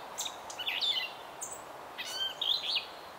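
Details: Gray catbird in Canada singing a jumble of varied, squeaky, chattering notes in two short phrases over faint background hiss.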